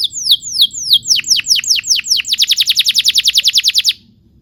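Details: Canary master song for young canaries: several slow downslurred whistles that speed up into a rapid, even roll of descending notes before stopping abruptly.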